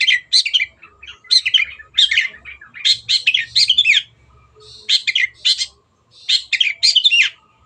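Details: Long-tailed shrike singing at full volume, kept as a songbird. Varied, scratchy chattering phrases of mixed notes come in bursts separated by short pauses.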